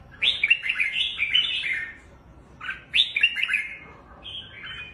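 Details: Red-whiskered bulbul in 'lân' style song, performing on its perch with wings spread: two rich, tumbling bursts of clear whistles and chirps about two seconds apart, then a softer trailing phrase, in a quiet setting.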